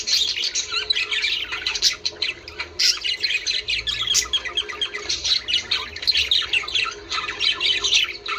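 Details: Steady budgerigar chatter played to prompt breeding: a thick blend of squeaky chirps, buzzy warbles and clicks, with a few sharp bursts standing out near two, three and four seconds.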